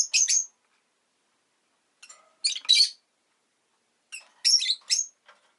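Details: Rosy-faced lovebird chirping in loud, shrill, grating bursts of two or three rapid notes, with the bursts about two seconds apart and silence between them.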